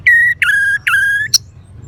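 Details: Orange-headed thrush giving three strong, steady whistled notes, each with a slurred upward start, ending in a short sharp high chip.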